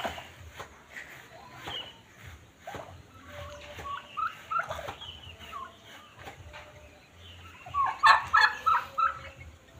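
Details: Domestic turkeys kept as pets give scattered short calls in a noisy setting, then a louder cluster of rapid, closely repeated calls near the end.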